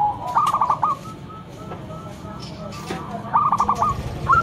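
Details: Local zebra dove kept as a loud lure bird, with two short bursts of quick whistled coos at the start and end and a quieter stretch between, plus faint background noise.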